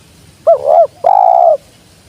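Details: Spotted dove calling with a brief wavering two-part coo that runs straight into a longer, steady, hollow note, all low and mellow against a quiet background.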